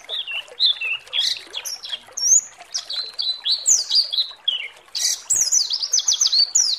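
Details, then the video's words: White-eye known locally as pleci, singing to provoke other birds of its kind: varied bursts of high whistled slurs and buzzy chirps, quickening toward the end into a fast trill-like run. "SEMUA PLECI GACOR BAKAL EMOSI DAN NGALAS BUKA PARUH"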